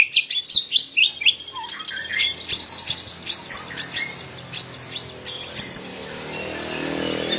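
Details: Murai batu, the white-rumped shama, in a masteran recording of melodious song: quick high chips and short whistled notes repeated several times a second in a bright, rhythmic run over faint background hiss.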